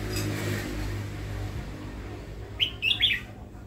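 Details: Newly acquired caged red-whiskered bulbul kept for its voice: after a quiet stretch with low hum, a quick burst of three bright, slurred whistled notes near the end.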